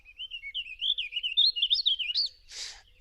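A Warbling Vireo sings one long, rambling warble of quick, high, slurred notes that rise and fall without a pause, ending with a brief soft burst of noise.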